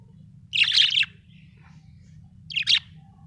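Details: A budgerigar, said to be happy, makes a raspy half-second chirp, then after a pause a shorter double chirp, all high and scratchy over a low background hum.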